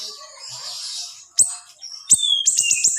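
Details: Young siri-siri in strong singing form, used as a training recording for other songbirds: a quiet, hissy opening, then sharp high whistled shots from about halfway, ending in a quick run of tight piercing chips.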